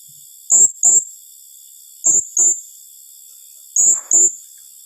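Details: Calls of a blue-crowned hanging parrot, 'tembakan rapat' style: three pairs of sharp, very high shrill chips, each pair tightly spaced and repeated roughly every one and a half seconds, with a steady high whine behind.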